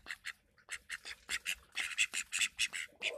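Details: Call duck, recorded 15 January 2021: a rapid series of loud, nasal, raspy quacks, about two per second, short and evenly spaced, growing slightly louder toward the end, with a quiet background.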